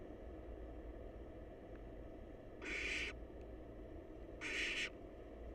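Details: Two rasping, hissy shrieks about two seconds apart come from wild barn owl babies snuggled up in a nest box as they wait to be fed. A low rumbling background noise runs throughout.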